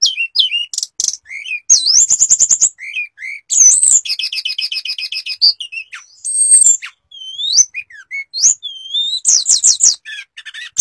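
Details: Hill blue flycatcher, known locally as tledekan or sulingan, a mimic, singing in full flute-like style with borrowed phrases: high whistles, rapid trills and buzzy rattles in quick succession, no other sounds.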